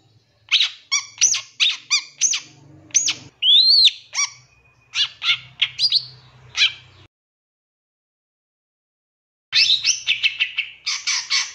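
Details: Master recording of a long-tailed shrike made to train caged birds: rapid sequences of sharp clicky chips and a loud upslurred whistle, a pause of silence, then a dense burst of fast chattering notes; low hum in the background.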